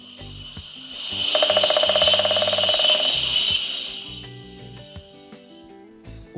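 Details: A Lineated Woodpecker in the Amazon drums a fast, even roll of taps lasting under two seconds, its territorial song to declare presence and attract a mate, on resonant wood, with music and hiss behind.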